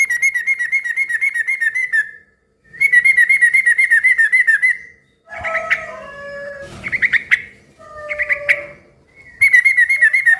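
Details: Yellow-vented bulbul singing loudly and steadily, used to get other bulbuls to answer; long rapid chattering trills alternate with a jumble of bubbly, varied notes in the middle.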